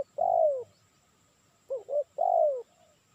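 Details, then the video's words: Spotted dove, call used for luring birds. A long downward coo, then two short curved notes and a second long falling coo. A faint steady high tone is heard throughout. "Suara Burung Tekukur Cocok Untuk Mikat"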